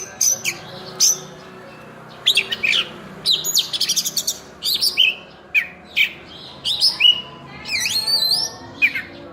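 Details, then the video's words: Oriental magpie-robin (burung cincim pala) singing its full fill-in song: crisp sharp whistles and clicks in small clusters separated by short pauses, with a quick high twittering run near the end. "Kacer Full Isian"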